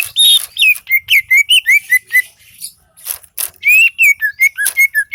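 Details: Gacor singing from a greater green leafbird, Seulawah valley, Aceh: a high opening whistle, then quick looping whistled phrases rising and falling, a short gap with scattered clicks, and a second run of bright slurred whistles.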